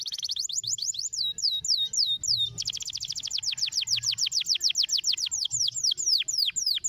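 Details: Canary song meant to stimulate other canaries to sing: high swooping whistled notes repeated in quick series, then a denser, faster trill of rapid downward sweeps, several per second.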